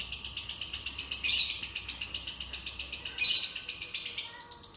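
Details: Lovebird song played as a lure to prompt a lazy lovebird to sing: a fast, high, buzzy chattering trill running throughout, with two louder harsh bursts near the second and third seconds.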